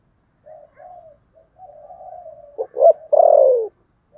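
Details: Spotted dove giving a fighting coo: soft low coos, then a longer steady hum, ending in two loud, abrupt coos and a drawn-out, falling final note.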